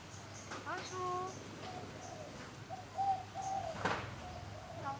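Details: Common hill mynas perched on a wall behind an old temple in Chiang Mai, Thailand, mimicking human greetings in English, Thai and French. Short clear whistled and speech-like tonal notes come at irregular intervals, with a woman's voice greeting them.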